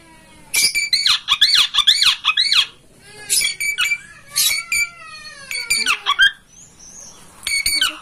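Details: Master song of a kacer, or oriental magpie-robin, played so a kept bird spreads its tail and sings: fast harsh chattering notes, about two per second, in bursts broken by silent gaps.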